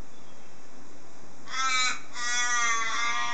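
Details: Garden crows calling early like an alarm clock, two raspy caws, the second longer and drawn out, against a constant high-pitched hum and hiss.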